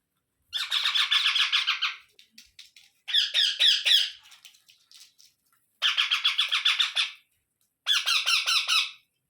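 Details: Young Indian ringneck parrots squawking as an adult feeds each in turn: four bursts of fast, buzzy, stuttering notes, each lasting one to two seconds with quiet gaps between.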